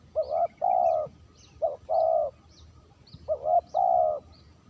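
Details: Clean lure call of a spotted dove: three repeated phrases, each a quick double rising coo ending in a long, smooth, low cooing note. Soft high chirps of other birds are heard behind.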